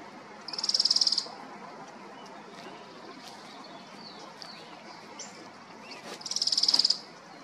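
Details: Thorn-tailed rayadito at Manzano Brujo, San Martín de los Andes, Neuquén, Argentina, giving two high, fast-pulsed rattling trills, each under a second, about five seconds apart; faint bird notes in between.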